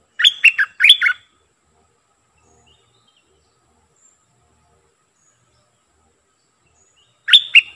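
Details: Streak-eared bulbul used as a decoy bird, giving a pair of quick chattering note groups, then a long silence, then another phrase beginning at the end.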